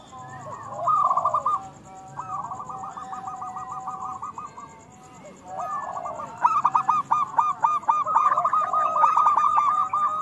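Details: Local zebra doves in full loud song, played to coax other doves into singing: rolling, trilled coos near one pitch, phrases of a few seconds separated by brief pauses, several phrases overlapping later, with a faint steady electronic whine.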